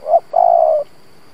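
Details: Spotted dove kept as a decoy, cooing to provoke wild doves: one short low coo, a brief pause, then a longer, steady, mellow coo note, with a faint high steady hum behind.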